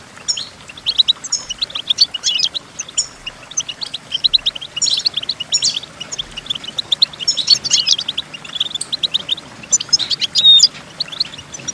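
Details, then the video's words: Goldfinch song used for teaching goldfinches to sing: a rapid, continuous run of high twittering, tinkling notes with buzzy trills and sharp chirps, delivered in dense bursts with no pauses. "The Entrancing Song of Goldfinches Birds"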